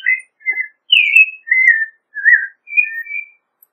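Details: Carolling American robin: seven clear whistled phrases, some rising and some falling, delivered at a relaxed, even pace with short silent gaps and no other sounds.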